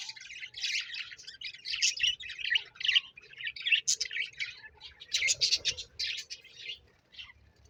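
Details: Talking, trick-performing parrot producing loud, continuous high-pitched warbling chatter, dense scratchy syllables strung together almost without pause for several seconds, ending with a few softer chirps.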